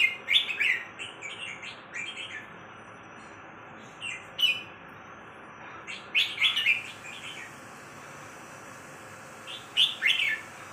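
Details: Red-whiskered bulbul giving brief loud bursts of bright warbled notes, separated by pauses of one to three seconds, over a steady faint hum.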